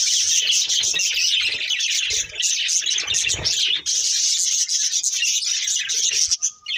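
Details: Breeding pair of budgerigars keeping up a continuous, scratchy high chatter of rapid chirps, with faint low rustling underneath.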